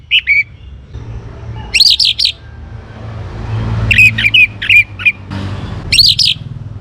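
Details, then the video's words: Young orange-headed thrush in lively song to stir other birds to sing: several short groups of squeaky, rising and falling whistles with sharp clicks, spread across about seven seconds, over faint low background noise. "ANIS MERAH Muda Gacor Untuk Pemancing Burung Berani Berkicau Ngeplong juga Teler"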